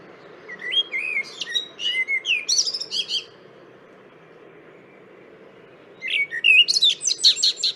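Blackbird song in two phrases, each opening with low, mellow fluted whistles and ending in a high, scratchy twitter, separated by a few seconds of quiet hum.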